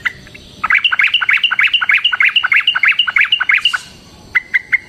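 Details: Caged yellow-vented bulbul (trucukan) in long, lively 'gacor ropel' fighting song, used as a lure to provoke other bulbuls to answer: rapid chattering run of bright, repeated notes, about three per second, ending with a few isolated chirps.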